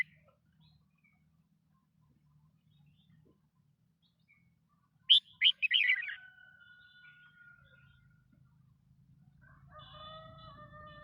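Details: Near silence, then a red-whiskered bulbul gives a quick run of sharp, bright, bubbling notes lasting about a second, followed by a long level whistle-like tone and faint low rumble.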